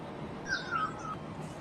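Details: In the wild, a black-naped oriole utters one soft slurred whistle, smooth and level with a slight dip, heard against low rumbling background noise.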